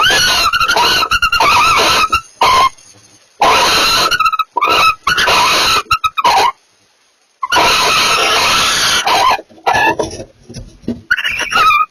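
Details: Mating barn owls produce a rough, continuous series of raspy screeching bursts with a steady wavering tone, some lasting over a second, interrupted by short squeaks and clicks and a few quiet pauses.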